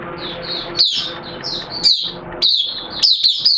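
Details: Hobby-kept Oriental white-eye (Mata Puteh) in buka singing during wet, erratic weather, September 2022: sharp high chirps and sweeping slurred notes in short spurts over a steady low mechanical hum.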